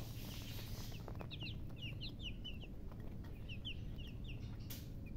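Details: Chicks chirping in a group: clusters of brief, high, downward-sliding peeps overlapping from several birds, over constant low-pitched background noise and occasional knocks.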